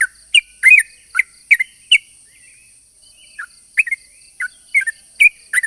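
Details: Yellow-vented bulbul song for luring other bulbuls: a burst of bubbly chirps, a quiet stretch of over a second, then scattered chirps resume, with a thin continuous high whine.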